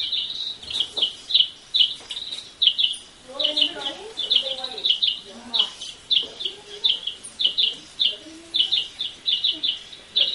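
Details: Long-tailed silky-flycatchers at San Gerardo de Dota, Costa Rica, recorded from a small restaurant, give high, clipped chattering notes, often doubled, repeated steadily throughout, with faint human voices murmuring underneath.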